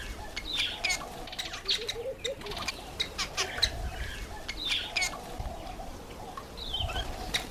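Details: Cape weaver (Ploceus capensis) chattering continuously with harsh clicks, buzzy notes and high squeaky whistles, against a soft low background rumble.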